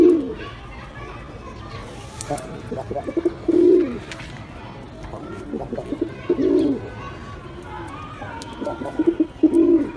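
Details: A pigeon coos repeatedly, four deep rolling phrases spaced a few seconds apart, each starting with short stuttered notes and rising into a rounded moan.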